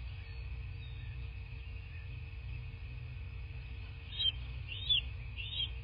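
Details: Bald eagle nest in a southwest Florida landscape, nest camera, morning of 17 March 2024: after a stretch of quiet background hum, three loud, sharp, high squealing calls ring out close together near the end.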